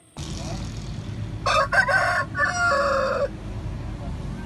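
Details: Aseel rooster crowing: one harsh, drawn-out crow lasting about two seconds, broken into choppy pulses, over constant low background rumble.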